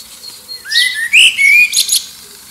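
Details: Common blackbird singing to find a mate while rival birds sing in the distance, near Liverpool; a rising fluted whistle leads into a clear mellow phrase and ends in a high twittering flourish.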